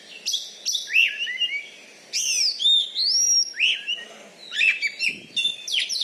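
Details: Champion Oriental magpie-robin in captivity in Bengkulu, Indonesia, whose loud fighting-style singing makes rivals submit; bright looping whistles and arched slurred notes in lively repeated phrases.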